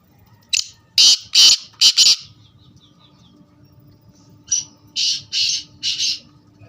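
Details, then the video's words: Black francolin calling twice: a loud rasping phrase of four or five harsh notes, a pause of about two seconds, then a softer repeat of four grating notes. "Kala teetar mast bolar khubsurat awaaz"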